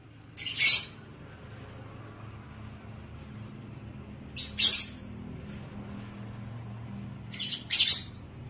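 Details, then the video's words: Lovebird in vocal training gives three short, shrill bursts of high chattering chirps, spaced roughly three and a half seconds apart, with quiet background between them. "LOVEBIRD OLAH SUARA VOKAL"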